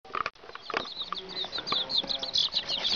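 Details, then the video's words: Young pet chicks, one of them a bare-necked breed, peeping as a flock; high, thin chirps overlap constantly in a busy chorus, with soft rustling and pattering underneath. "baby chickens peeping"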